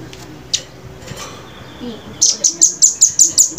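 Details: Velvet-fronted nuthatch, recorded cleanly as a training master: after quiet background with a few faint notes, a loud burst of high, sharp chips repeated about four times per second.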